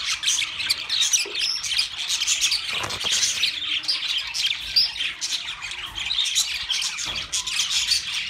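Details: Steady, crowded chattering of budgerigars: many high, scratchy squawks and twitters run together without a break, with a few louder sharp chirps rising above the mass.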